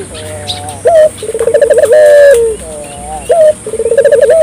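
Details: Dove calling in full voice, used to prompt local doves to call. A long low coo, a short higher note, a fast pulsing trill and another sustained coo sound in quick succession, then the pattern repeats. Faint chirps behind.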